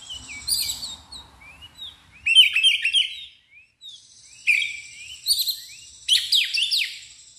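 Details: Emotional Oriental magpie-robin with tail spread delivers loud 'ngeplong' song: quick rising whistled notes and rich tumbling chirpy bursts in phrases about a second apart, with a clean, quiet background.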